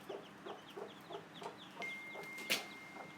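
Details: A mother hen gives short, low clucks about three times a second to show her day-old chicks where the food is, over a steady chorus of high, falling chick peeps, on a cold day.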